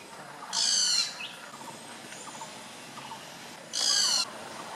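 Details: Great barbet (Psilopogon virens) recorded 6 April 2014 at Phanoen Thung camp, Kaeng Krachan National Park, Phetchaburi, Thailand. Two loud, harsh, harmonic notes about half a second long come roughly three seconds apart, separated by faint short notes over forest hiss.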